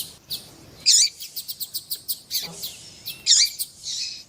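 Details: Double-collared seedeater pair, the female calling to prompt the male's song. A steady series of dry, high clicks runs through the clip, broken by two loud buzzy chirp bursts over faint background hiss.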